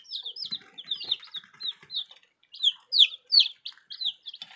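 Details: A group of newly arrived baby chicks cheeping loudly, short high downslurred peeps tumbling in fast irregular bursts, several birds calling at once, with faint rustles between calls.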